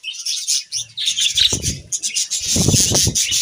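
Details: Pet budgies bathing and playing among lush leaves on a hot summer day chatter in busy, high chirps and scratchy warbles, with low rustling and splashing thuds underneath.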